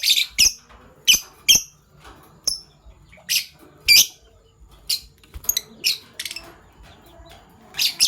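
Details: PB Violet and Euwing Gold Opaline Fischer's lovebirds in the morning: a steady series of shrill, scratchy chirps, roughly two each second, some ending in a brief whistled tail.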